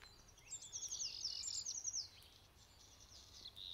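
A young great tit gives thin, very high, rapid chittering notes, about three per second, fading after two seconds over a soft background hiss.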